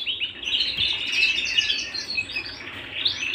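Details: Singing canary indoors at home, a dense stream of quick warbling chirps and trills high in pitch, continuous throughout with little background sound.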